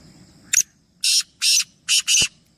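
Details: One of three black francolins calling: a brief sharp click, then four loud scratchy, buzzing notes evenly spaced, the final pair nearly joined, with quiet low rumble behind.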